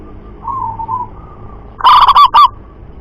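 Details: Loud-voiced local zebra dove, a perkutut kept for calling practice: soft, distant wavering coos at first, then an abrupt loud burst of clipped, rolling coo notes ending in a drawn-out trill.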